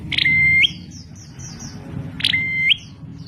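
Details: Bar-winged prinia (prenjak klawu) uttering its unusual call twice, two seconds apart: a harsh opening burst, then a clear flat whistle rising at the tail, with a series of thin descending chirps from other birds in between.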